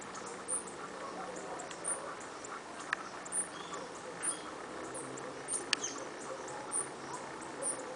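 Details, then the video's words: A Fulvous-headed Brushfinch (Atlapetes fulviceps), recorded a few metres from a lookout, gives very high, thin, sharp call notes, one roughly every one to two seconds, over a steady hiss with a few faint clicks. "Cerquero Cabeza Castaña"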